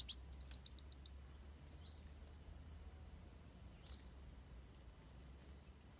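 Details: Van Hasselt's sunbird in fighting song, recorded for bird training. It starts with a rapid string of about ten sharp chips, then descending slurred whistles and spaced wavering notes.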